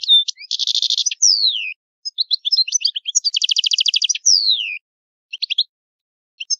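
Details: Italian European goldfinch giving old-style song: dense buzzy trills, two long descending sweeping whistles, and bright twittering phrases, with short pauses near the end.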